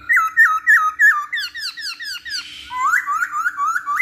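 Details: Masked laughingthrush used as a lure for other songbirds, giving a rapid series of loud, clear whistled notes that drop sharply in pitch, around three per second, then a rising upslurred phrase, with a faint steady hum.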